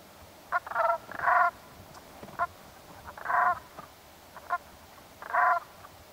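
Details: Brant goose giving short, harsh, nasal calls in clustered bursts, several in quick pairs, over a quiet background with soft faint clicks between calls.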